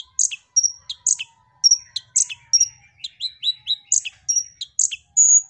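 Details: A Van Hasselt's sunbird (Leptocoma brasiliana) sings a fast, lively run of sharp, high chirps and thin whistled notes, about three per second, with a faint low hum behind.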